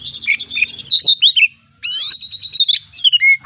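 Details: Oriental magpie-robin, a kept bird singing in full voice with a rich mixed repertoire, used as a lure for other birds: a rapid run of varied whistled notes, a loud rising sweep, then clear descending whistles, with faint low hum behind.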